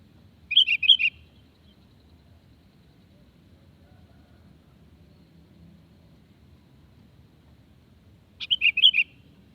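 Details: Sooty-headed bulbul lure call meant to make wild birds reply: two short bubbly phrases of four or five quick whistled notes, the first near the start and the second about eight seconds later, with quiet low hum between.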